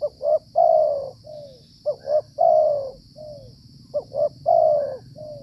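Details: Cooing from a wild Spotted Dove (tekukur) lured with a decoy in the cold rainy season, probably the area's dominant male: three phrases, each two short hooked notes, a drawn-out warm coo and a lower fading note, with a constant high drone.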